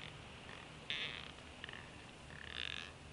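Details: Adult bald eagle fussing at its nest beside a sleeping eaglet, 10 February 2016, nest camera. Short harsh chittering bursts come at about one second, around 1.6 seconds and again near 2.5 seconds, over steady low mechanical hum.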